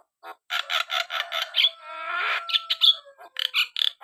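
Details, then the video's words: Loud Javan myna song: rapid harsh chattering bursts run into a drawn-out buzzy, rasping note with faint whistled overtones, then more quick squeaky chatter. "burung jalak kebo gacor"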